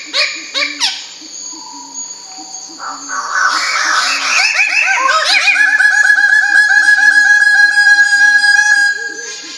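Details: Bird-of-paradise starting with a few separate nasal notes, then a loud, harsh, buzzing outburst that becomes a fast run of ringing, overtone-rich notes before it fades away.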